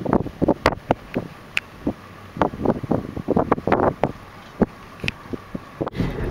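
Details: Wind buffeting and sharp handling knocks and thumps fill the recording, with no animal calls.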